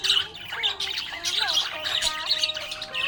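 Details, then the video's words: Budgies chirping happily in a rapid stream of high twitters and harsh little squawks, with gliding tonal notes running lower underneath. "Happy budgie chirping sound"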